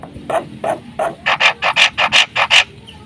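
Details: Black-winged myna delivering harsh song as a lure for training mynas: a few spaced rough notes build into a run of louder, raspy chack notes repeated about three times a second.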